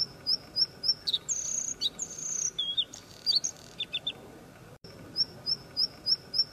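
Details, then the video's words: A Bluethroat sings high, sharp repeated notes, several each second, then varied phrases of whistles, buzzy trills and dropping tones, before returning to the clipped repeated notes. "bluethroat singing"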